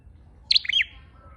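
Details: One lure call phrase of a red-headed flowerpecker: a sharp, high doubled chirp followed by short falling twittered notes, brief and clear over a faint low background.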